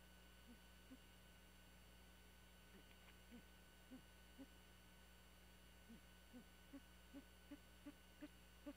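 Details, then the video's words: Great horned owl at night in an old bald eagle nest high in a pine on Skidaway Island, Georgia: soft, low, short murmured notes repeated about every half second, growing slightly louder, over a steady electrical hum. "Murmuring, then view of GHOWlet - Skidaway Is, Ga, Great Horned Owl"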